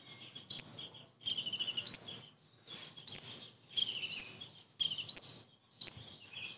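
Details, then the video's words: Imitation of a kingfisher by a common iora: piercing upward-swept notes, several introduced by rapid rattling stutters of five or six pulses, repeated roughly every second in a clean, quiet setting. "KONIN ISTIMEWA ISIAN TENGKEK UDANG"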